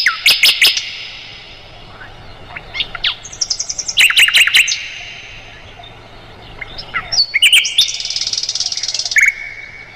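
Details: Mugimaki flycatcher song for tutoring songbirds, especially the White-rumped shama: sharp clicking notes, buzzy high rattles and short whistled phrases, separated by quiet pauses, ending in a steady whistle.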